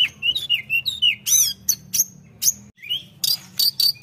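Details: Flowerpecker in full lively song, meant to stir rival birds: sharp high chirps and short whistled notes in quick bursts, some slurred downward, broken by a brief pause before a final run of buzzy high notes.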